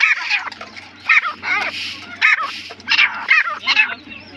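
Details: Partridge giving a rhythmic series of harsh, scratchy calls, each burst with quivering overtones, spaced roughly every half second above a low electrical hum.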